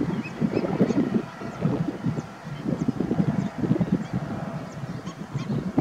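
A greater flamingo flock gives a steady babble of low, goose-like honks and grunts that overlap without pause.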